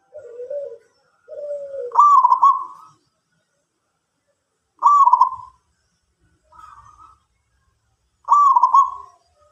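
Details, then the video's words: Local perkutut coo song: two soft low notes lead into a loud burry coo, later coos spaced about three seconds apart, one quieter, in silence. "perkutut lokal gacor"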